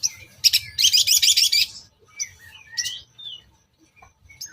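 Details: Long-tailed shrike lure song, "toet toet" joined with mimicked filler, used to provoke other shrikes. A loud scratchy chattering burst comes first, then scattered short whistles and sharp notes.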